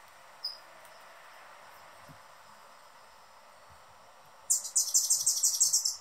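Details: Male Anna's hummingbird calling noisily while guarding the perch of his favorite feeder. After a faint single note and a long quiet stretch, a sudden loud run of rapid, high, rasping chips fills the last moments.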